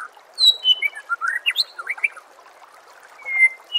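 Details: White-rumped shama masteran song for training contest birds: a quick tumbling series of varied whistled and slurred notes, a short pause, then one long clear descending whistle, above a soft running-water background.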